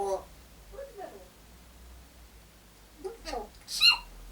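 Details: A pet African grey parrot imitates coughing and sneezing to get attention, giving three or four short, raspy, cough-like and sneeze-like bursts over a few seconds while its owner speaks softly between them, saying "bless you."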